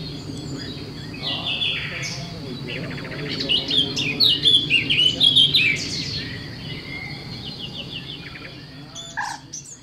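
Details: Eurasian blue tit at a campsite in the Brenne regional nature park, central France, early May 2016: rapid thin high chirps building into a scratchy twittering burst midway, then fading to a few sharp notes over a low hum.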